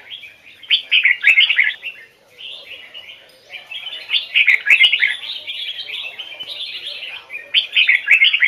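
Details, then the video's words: Red-whiskered bulbul singing in the Hoai Son forest style, with standard double notes: bright, bubbly whistled phrases in bursts of about two seconds with short pauses between, and a few faint clicks in the background. "Chào mào hót giọng chuẩn, âm kép"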